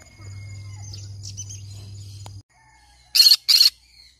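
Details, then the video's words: Green-cheeked conure parrot letting out two sharp, harsh squawks close together, following a stretch of low steady hum with faint soft chirps. "I can sing all day long, can you believe it? green cheek conure parrot sounds."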